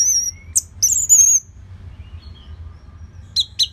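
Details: Thin, sustained high whistles and wavering notes from an Orange-headed thrush, then near-silence and two short sharp chips at the end. The song is used as a training lure for other birds.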